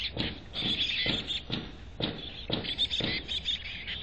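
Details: Chickadee at a nest box in North Vancouver: faint high thin notes with soft thumps recurring about twice a second, over a low steady hum.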